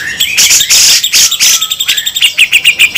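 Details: Harsh 'besetan' singing from grey-cheeked bulbuls (cucak jenggot), local versus Sumatran birds. Bright noisy bursts open into a quick series of clipped, descending chirps that repeat rapidly toward the end.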